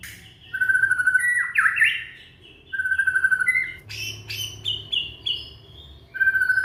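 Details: Young white-rumped shama from Indonesia singing to spur other shamas: level whistled notes alternating with fast swooping slurs, then a series of short stepped high whistles and another steady whistle at the end.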